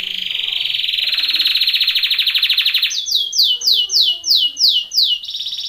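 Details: Canary song for training: a long buzzy rattling trill, then a switch to loud, evenly spaced downward sweeping notes, about two per second.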